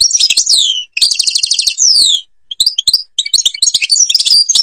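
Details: Goldfinch from the Babas forest, Algeria: rattling trills and down-sweeping whistles in quick sequence, a short break, then lively tinkling twitters to the end.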